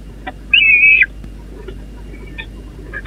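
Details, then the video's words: Peregrine falcon chicks at a nest on the Catharinakerk, recorded 30 April 2021, busy begging. One harsh, high, grating squeal lasts half a second, with faint short chips around it over a low steady hum. "Slechtvalken Catharinakerk, Bezige kuuks"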